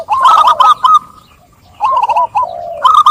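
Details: Zebra dove singing two short, rolling coo phrases of bubbly, trilled notes, with a quiet gap of about a second between them.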